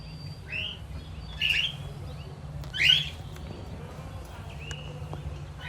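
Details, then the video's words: Lutino cockatiel, a pet bird kept with budgies and lovebirds, giving two short, harsh rising chirps about a second and a half apart over a steady low hum. "Lutino cockatiel Chirping Sounds"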